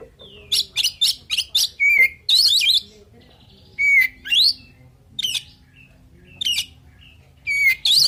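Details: Oriental magpie-robin full song aimed at provoking other birds to answer: a fast run of sharp chirps, then loud warbled phrases and clear slurred whistles repeated at intervals.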